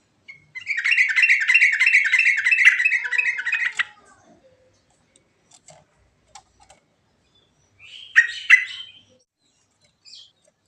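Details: Natural yellow-vented bulbul singing a rolling song with varied phrases, recorded as a lure: a rapid three-second roll of repeated bright chirps, a quiet gap with faint ticks, then a short harsh bubbly burst.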